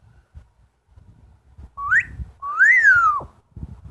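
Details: ['Pet Amazon parrot indoors giving two clear whistles: a short quick upslur, then a longer note that rises, arches and falls away, with faint room noise and music between.']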